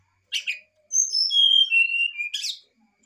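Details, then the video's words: Brown-chested jungle flycatcher fluting a varied song, meant to prompt a lazy bird to sing: two short harsh notes, then a smooth series of clear whistles stepping downward, ending in a brief rough burst. "pass untuk srdc malas bunyi/pancingan srdc ,sikatan rimba dada coklat nyuling variasi"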